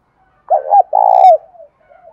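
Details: Spotted dove cooing, a sound used to stir decoy doves into cooing quickly: a single low, mellow phrase of two short hooting notes followed by a longer, vibrating coo that falls at the end, with faint softer notes before and after.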